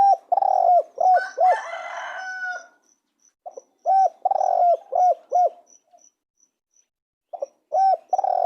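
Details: Spotted dove calling repeatedly: phrases of low, throaty arched coos with a drawn-out rolling middle note, separated by short gaps. A brief rougher, noisy burst overlaps the first phrase.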